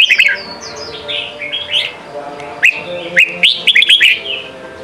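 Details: Red-whiskered bulbul singing in the Sông Kon style, a training song for young birds: bright warbled whistles, then a quick burst of short sharp rising notes near the end, with fainter overlapping bird phrases behind.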